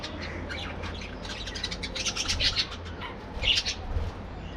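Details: Morning chatter from a breeding colony of budgerigars playing in an aviary: overlapping chirps and scratchy squawks, rising to a busier cluster midway and another sharp burst near the end, with steady low hum beneath.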